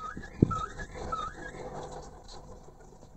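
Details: Male Chinese hwamei giving brief bright whistled phrases, two level slurred notes about half a second apart, with a sharp knock just before the first and soft low background noise throughout.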